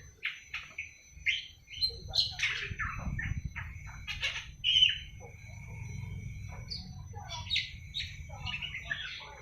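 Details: Young awar-awar, seven months old, just starting to sing: a rambling run of short chattering and squeaky notes, some drawn into thin level whistles, over a low background rumble.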